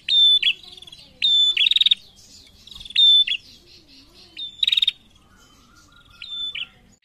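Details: Chattering female prinia with answering males gives high, dry clicking rattles joined to brief thin whistles, in irregular bursts with quieter pauses between them.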